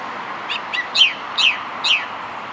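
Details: Song Thrush singing from a high perch at dawn, too dark to see clearly; short bright phrases of sharp descending notes, a similar phrase repeated several times within a few seconds, over a steady background rumble.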